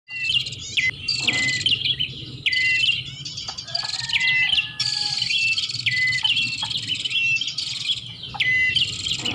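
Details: Bar-winged prinia lure sound used to attract birds: dense, buzzy, scratchy phrases alternating with short, sharp whistled notes that drop in pitch. Several overlapping voices chatter almost continuously, with a low rumble underneath.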